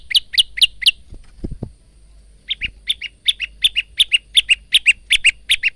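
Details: Training song of a male Bar-winged prinia: four rising chirps, brief low knocks, then a bouncy series of paired high notes, varying slightly in pitch.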